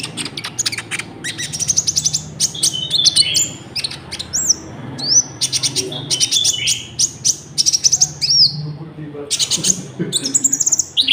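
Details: Konin song for luring wild birds and teaching caged birds: lively and dense, with rapid bursts of very high ticking notes mixed with short rising and falling whistles, nearly continuous throughout.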